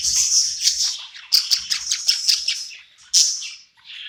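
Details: Budgie chirping and singing at night after moving to a new home: a quick series of bright, high chirps, then a louder chirp and softer warble at the end.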